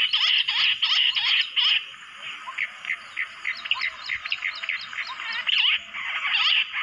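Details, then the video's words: Bush quail in jungle, lured in with calls played from a mobile phone; dense overlapping chorus of short, high whistled chirps repeated rapidly, about three per second, in bursts with brief quieter gaps. "amazing Bush Quail video jungali | mobaile se bulaya jungal Battair"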